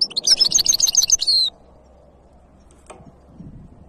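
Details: European goldfinch hybrid singing: a fast, bright run of high twittering notes repeated rapidly for about a second and a half, then near silence with a faint low hum.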